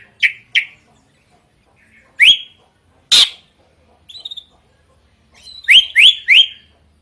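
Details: Drongo giving loud, sharp, rising chips, some in quick pairs and a final run of three, with a couple of harsher noisy notes between.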